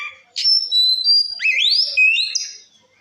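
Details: Ngeplong song from an Oriental magpie-robin used as a rival-baiting call: a sharp onset, long level whistles at two pitches, a rising swoop into a sustained note, then a higher held whistle that fades.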